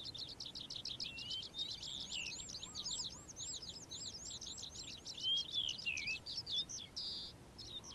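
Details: Morning song of a calandra lark, a rapid run of high twittering notes followed by a series of arched, repeated whistled phrases and scratchy buzzy notes, flowing unbroken for several seconds.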